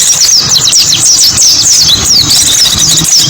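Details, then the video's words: Lure recording of mountain white-eye (pleci buxtoni) singing: rapid, high, sweeping whistled notes tumbling one after another without pause, with a steady low humming drone beneath. "MP3 SUARA BURUNG PLECI"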